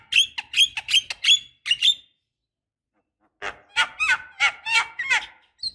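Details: Javan myna lure, a female calling a male to rouse non-singing birds: quick rasping notes with whistled tips, a two-second gap, then lower throaty squawks with downward-bent tones.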